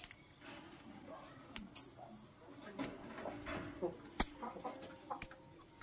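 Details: Green and blue masked lovebird (Personata) in the morning, giving short, sharp, high-pitched chirps in scattered ones and twos, with soft background chatter and a faint low hum underneath.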